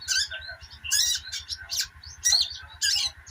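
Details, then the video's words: Short burst of sogok ontong chatter, loud high scratchy twitters in three or four clumps with thin squeaky notes between, over a steady hum and fast low pulsing. "burung sogok ontong ( sogon ) ngeriwik"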